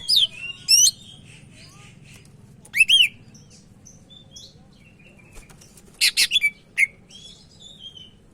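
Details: Medan Sumatran leafbird in lively voice, used as a training tutor: short bursts of high twisting notes spaced a few seconds apart, a quick stutter of four sharp notes near the end, over low hum.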